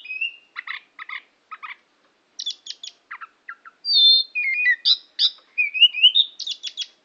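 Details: Oriental magpie-robin singing at Tambakagung, Klirong, Kebumen: varied phrases of clipped double notes, buzzy bursts and pure whistles, some rising, delivered in irregular spaced groups against a silent background.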